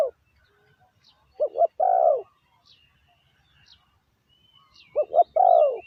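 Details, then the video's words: Low, soft cooing from a decoy spotted dove luring wild doves. A pair of quick coos leads into a drawn-out, slightly falling coo, repeated once after a pause of about three and a half seconds. Faint twittering from other birds can be heard. "chim cu mồi gáy gọi bổi"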